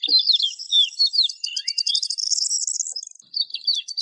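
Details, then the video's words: Rapid high-pitched lark warble mixing slurred whistles with a run of fast, evenly spaced trilled notes, sung without a break. "تغريد طائر قبرة الحقول(القوبع) Chant de Alouette des champs"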